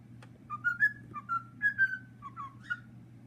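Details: A cockatiel whistles the "Addams Family" theme, taught to him in two weeks, in clear, bouncing phrases of sliding notes.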